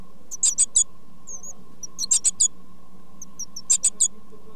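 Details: Great tit chicks being fed by their parents beg in very high, thin squeaks, in bursts of three or four about every one and a half seconds, over a steady electrical hum.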